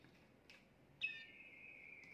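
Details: Timbrado canary recorded at home, whose song serves to teach young birds: after a short chirp comes a long, even, pure whistled note held for over a second above faint room hiss.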